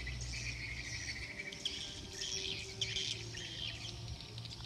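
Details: Swiftlets coming back to roost: harsh, buzzy twittering in overlapping short bursts, with a constant low droning hum in the background.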